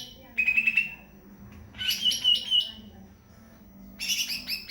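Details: Song of a greater green leafbird, with bright, buzzy rattling trills repeating in bursts of roughly a second, each followed by a brief silence, and the last burst more jumbled.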